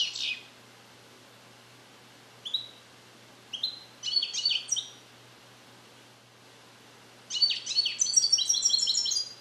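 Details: Song-trained captive goldfinch born in 2021, its Neapolitan passages not yet complete, recorded isolated in a carrier: scattered short high chirps and buzzy notes with pauses, ending in a sustained run of rapid tinkling twitters.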